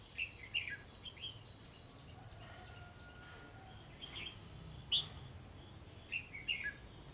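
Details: Red-whiskered bulbul singing from a treetop, rooftop: short, bright, bubbling whistled phrases every second or two, with a steady hiss of background noise.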